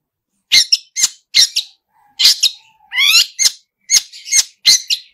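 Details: Pentet, the long-tailed shrike, in vigorous full-fill song: sharp scratchy chacks repeated at uneven intervals, one faint low whistle and a rising slurred phrase in the middle.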